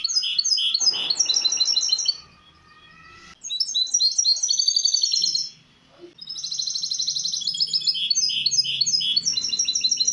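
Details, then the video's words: Loud song of a misto hybrid canary meant to tutor young birds: three extended phrases of rolling, chopped, high notes and bubbling trills, with brief gaps between them. "شريط طائر الميستو الهجين للتحفيظ الفراخ"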